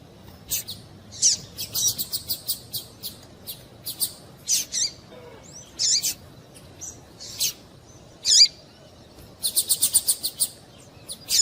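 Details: Calls of a female double-collared seedeater, meant to get a male singing: scattered high, sharp chips and short clusters, including a fast run of five or six notes late on, with quiet gaps between.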